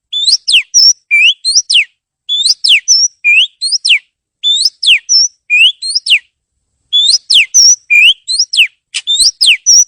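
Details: Repeated song phrases of an oriental magpie-robin for training other birds: each phrase joins rising whistles with sharp downward sweeps and a high flat note, phrases returning in regular bursts with short pauses.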